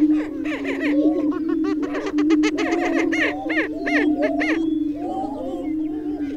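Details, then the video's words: Greater prairie chickens, chicken-like grouse whose males inflate a bare neck patch while displaying; a steady low droning hum runs throughout beneath overlapping bursts of rapid cackling, clucking and hooting notes from several birds at once. "Sounds of a great steppe grouse"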